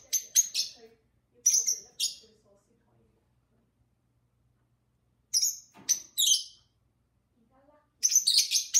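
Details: Two pet lovebirds chattering with their owner indoors: groups of shrill, squeaky chirps with long quiet gaps, and soft human speech in places.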